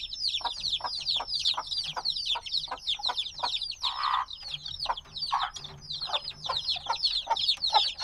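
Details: Noisy group of black chicks hatched a few days earlier: relentless high-pitched downslurred peeping from many birds at once, mixed with frequent tapping and a couple of louder rustles.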